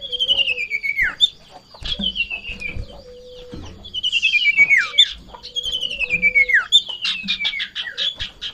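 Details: Sirtu in breeding condition, excited and leaping on seeing a rival or female, gives loud whistled phrases sliding steeply downward, repeated about every two seconds, mixed with quick high chips and trills; faint low hum beneath.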